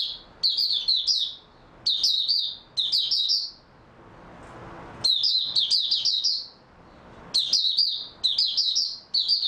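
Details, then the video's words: Singing white-eye kept as a songbird, 3 March 2022, rested after a good sleep. It delivers repeated bursts of fast, high, sweet twittering notes in phrases of about a second, with brief pauses and a quiet stretch midway. "Mata Puteh Raja Video 2 buka sing tiong aw"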